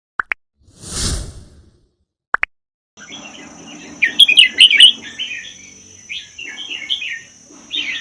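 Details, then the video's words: Red-whiskered bulbul from the Vietnam-Laos forest, kept one year, song about 80% doubled: after opening clicks and a rushing noise burst, bright warbled phrases appear, then a louder chattering run of quick notes, with a faint low hum beneath. "นกกรงหัวจุกป่าเวียดลาว ชำใว้1ปี เบิ้ล80% เปิดกระตุ้นนกฟังนกร้อง"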